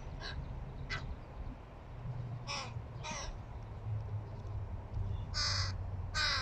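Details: Hooded crow fledgling, chatty while trying to feed itself, gives short harsh caws at uneven intervals, faint at first and louder toward the end, over a steady low rumble.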